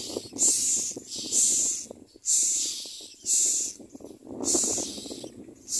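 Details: Common myna chick begging while a parent feeds it: loud, breathy, hiss-like bursts repeated roughly every second, with short quiet gaps between them.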